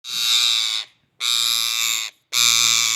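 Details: Rose-ringed parakeet giving three long, harsh, buzzy squawks, each just under a second long and separated by brief silent pauses, rich and loud in the upper range with no other sounds.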